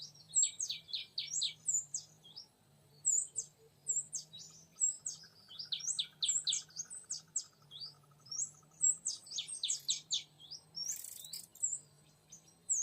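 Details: Oriental magpie-robin, wild young male, lured in forest: a long, varied stream of high whistles and quick downward-sweeping notes, repeated in phrases with brief gaps, a soft lower trill midway, a steady low hum throughout.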